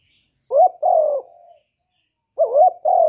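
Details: Male spotted dove cooing to prompt a hen to lay eggs. A short rising note is followed by a drawn-out, falling, hollow coo and a soft trailing murmur, then a second phrase begins. The background is clean.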